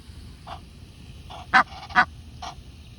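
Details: Egyptian geese living on a lake, parents of a newly hatched gosling; a quick run of nasal honks, two loud ones close together in the middle, framed by softer matching calls, with a low background hum.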